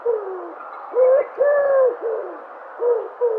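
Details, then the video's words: A dove gives a series of soft, low, hollow coos, several swelling notes with brief pauses over a few seconds. "Sounds of Dove"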